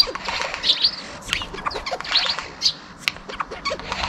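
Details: Eurasian jay mimicking sparrow chirps, a starting car and a bell, recorded 18 February 2023; quick high chirps and ticks come in uneven clusters, some squeaky and bright, over a constant hiss.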